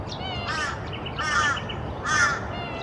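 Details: Wandering whistling duck at Sandy Camp Road Wetlands, Brisbane, Queensland, on September 6, 2022, gives three wavering, reedy whistles, each under half a second and about a second apart, over a steady low rumble.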